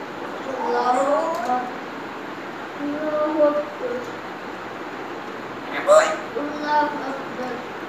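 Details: A male pet grey parrot calls out a person's name in clear, human-like syllables, repeated in short bursts with pauses between, in a quiet indoor room.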